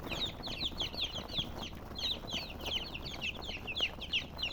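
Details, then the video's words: Shrill chicken chirps from colored birds pour out in a continuous overlapping chorus of quick, downward-sliding high peeps. "silly chicken chirping sounds with murgi hen color chicken"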